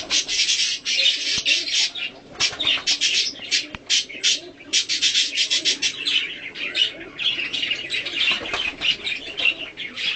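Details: Tame budgerigar, a colour mutation, chattering while being fed and cuddled; rapid harsh chirps and scratchy notes in irregular runs, with a few sharp clicks.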